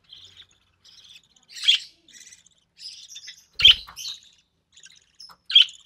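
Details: Recessive pied budgerigar chick, hatched early June 2020 to a white recessive pied father and albino red-eyed mother, during a feeding by its mother; sparse high chirps with three louder sharp notes about two seconds apart and a soft thud.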